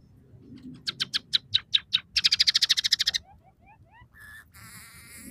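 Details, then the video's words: Scaly-breasted munia singing in full voice, its song carrying three variations with phrases borrowed from house sparrow, red siskin and canary; a rapid run of buzzy, evenly spaced chirps builds into a dense trill, then soft rising whistles and harsh buzzy notes. "suara burung emprit peking gacor dengan tiga variasi lagu"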